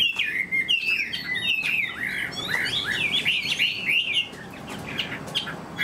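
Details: Caged Chinese hwamei with a fanned tail, kept as a fighting bird, sings a rich, fast run of looping whistled phrases that slide up and down, with dense overlapping notes and no pauses.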